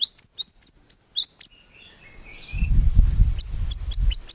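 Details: White-rumped shama in gacor song with tembakan isian and no ngukluk, used to train songbirds: quick paired high chips, a soft warbled slur, then sharp clicks over a low rumbling background noise.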